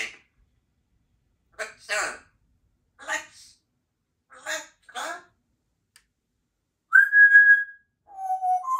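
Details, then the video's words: Female Congo African grey parrot, two years old, kept as a pet and practicing sounds and words: short clipped word-like utterances spaced about a second apart, then a clear whistled note and a lower whistle at the end. "African Grey Parrot practicing her sounds and words"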